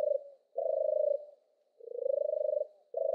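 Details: Low, rolling purrs from a European turtle dove, three to four drawn-out vibrating notes, one of them gently rising, separated by brief silences in an otherwise quiet setting.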